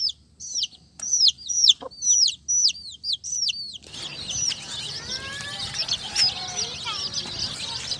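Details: Brightly coloured young chicks: high, down-curving peeps repeated several times a second in short bursts, then a crowded chorus of overlapping chick peeps with a few lower, longer calls beneath and steady background hiss.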